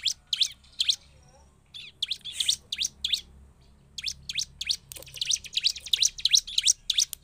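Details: Bar-winged prinia, or ciblek, giving a lively provoking song: bursts of high, sweeping chirps in quick series, broken by short gaps, then a fast closing run of bright notes.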